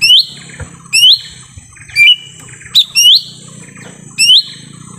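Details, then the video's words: Lesser green leafbird lure call in forest for attracting wild birds: clear upslurred whistles about once per second, one held flat, over a low humming background with soft chirps. "suara asli pikat cucak ijo mini di hutan"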